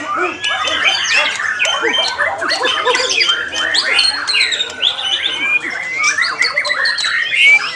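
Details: Continuous white-rumped shama song: rapid chattering phrases mixed with rising whistles, loud and unbroken for the whole stretch.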